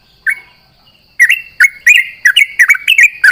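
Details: Sooty-headed bulbul at dawn during dew-bathing, singing rapidly in reply to companions: a lone note, a pause, then a lively run of short, liquid, bubbling whistles with quick upward and downward flicks.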